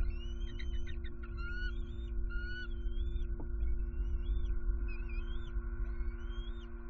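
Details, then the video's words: Alarmed adult bald eagles returned to their Southwest Florida nest at night, 23 September 2020, a possible owl about; quick stuttering chips run into long upward-sliding whistles, several in a row, over a low electrical hum. "Harriet & M15 On High Alert! Return Vocalizing To Nest At Night!"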